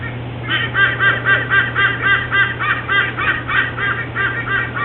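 A White-bellied sea eagle gives a rapid, goose-like honking cackle, about four harsh notes a second, with a steady low hum underneath.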